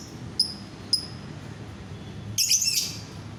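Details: Two thin, sharp lovebird chirps, then a short harsh chattering burst. The calls serve to make other lovebirds sing. A soft low hum runs beneath.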